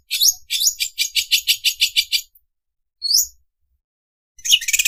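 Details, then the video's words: Greater green leafbird mimicking a sewing machine (mesin obras): a burst of rapid chipping pulses, a lone swept whistle after a pause, then a renewed fast buzzing run. "MASTERAN CUCAK IJO SUARA MESIN OBRAS"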